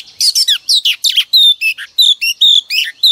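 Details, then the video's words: Female oriental magpie-robin song used every morning to prompt males to sing: a continuous string of quick, loud, high chirps, slurred whistles and short trills, about a dozen separate phrases in three seconds with no background noise. "Choè than mái mồi quá hay"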